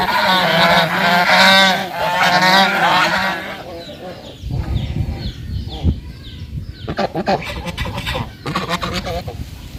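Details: Domestic Bangladeshi geese, walking on land and swimming, give loud, harsh, overlapping honks for the first few seconds, then scattered shorter honks over low rumbling background noise.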